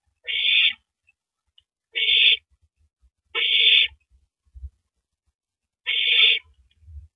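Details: After feeding, a nesting owl passes a rabbit to its mate, April 9, 2012, 9:14 PM; four breathy, harsh screeches at uneven one- to two-second intervals, with faint thumps between.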